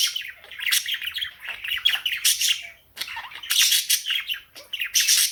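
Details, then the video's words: Cockatiel, female, in morning song mode with budgie companions chiming in; high chirpy chatter and sudden loud screechy bursts, pausing briefly before resuming busy twittering. "MORNING TUNES with KOKO the cockatiel and the budgies"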